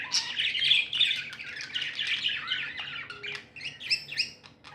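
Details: Tame budgies chattering happily in a continuous stream of rapid, scratchy warbles and chirps, dense and overlapping, thinning toward the end.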